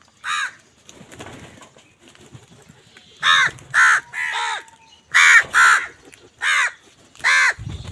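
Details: Angry crow fighting other wild birds for food, giving loud harsh caws, one then a burst of six or seven in uneven pairs over a few seconds, with faint twittering and a low thump at the end.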